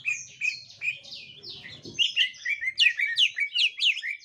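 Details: Green leafbird of the gotri type meeting a young wild leafbird: downslurred whistles, then a rhythmic run of sharp chirps about two or three per second, with a brief low rustle.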